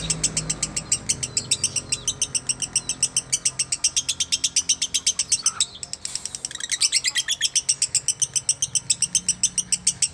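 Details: Lovebird giving a fast chattering song: rapid, evenly spaced high chirps, roughly four per second, with a brief pause midway before the string resumes, over a faint low hum.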